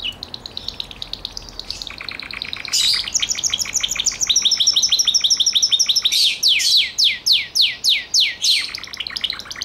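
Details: Song of a Gloster canary: a soft high trill builds into faster rolling phrases, finishing with loud downward-sweeping notes repeated roughly twice a second.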